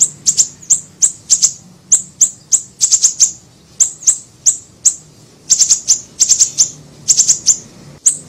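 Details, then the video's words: Lure recording of a small siri-siri bird, with a steady stream of shrill, very high chips, some single and some in rapid clusters of three or four, filling the whole stretch without a break. "PANCINGAN PIKAT SUARA BURUNG SIRI SIRI KECIL"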